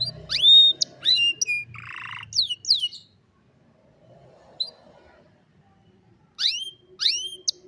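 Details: Intermittent afternoon song from an old canary: a few rising whistled chirps and a buzzy note, a long near-silent pause, then more upward-sweeping whistles.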